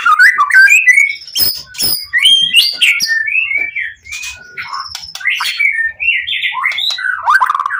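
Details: Excited white-rumped shama delivering a lure song meant to draw replies from other shamas: a fast, ever-changing stream of sharp whistles, chirps and slurred notes, with harsh clicks scattered throughout.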